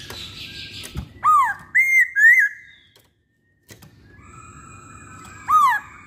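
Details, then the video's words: Masked laughingthrush singing as a lure to prompt others of its kind to sing. Loud whistled phrases: a falling note, then rising-and-falling slurs. A brief silence follows, then one more sharp downswept whistle over a low background hum. "Pancingan Poksay Hongkong"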